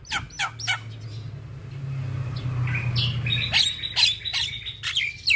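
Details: Jalak kebo, the Javan myna, gives a few sharp squawks, then after a low droning hum a series of buzzy whistled phrases and harsh clicks.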